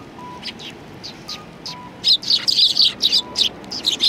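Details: Eurasian tree sparrows in Japan, recorded 28 December 2019. A few faint, scattered chirps give way after two seconds to a dense burst of sharp, high chirps from several birds. Faint steady tones sound in the background.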